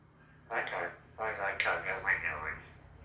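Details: A pet eclectus parrot imitates a human voice heard over the telephone with three short bursts of talk-like mumbled syllables, slightly nasal and robotic, over a faint low hum.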